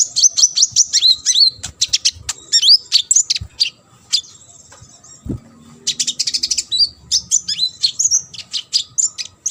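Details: Sunbird song used as training material for competition birds: fast, high, twittering notes with quick up-and-down sweeps, delivered in dense bursts separated by a short quiet gap, with a single soft thump midway.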